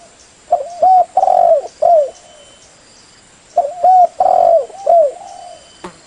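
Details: Spotted dove, the leopard-patterned tekukur blorok type, giving a lure call meant to make other doves answer quickly: two phrases of low, mellow hooting coos, a short note then a longer drawn coo and a falling final coo, three seconds apart.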